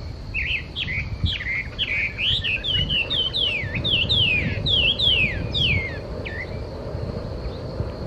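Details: Chinese hwamei singing at Okurayama Park: a fast, varied run of loud whistled phrases, many sweeping up or down and slurred together, delivered for about six seconds before stopping, over a steady high hiss and low rumble.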